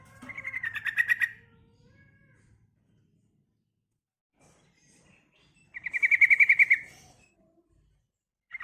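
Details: Yellow-vented bulbul female calling a male, giving two fast, rattling bubbly bursts of repeated notes with a long quiet gap between them and a faint low hum underneath.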